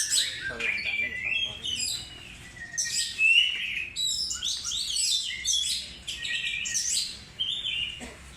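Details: Lure recording of an Oriental magpie-robin giving bursts of varied whistles, harsh chattering notes and bright chirps, loud phrases separated by short quieter gaps.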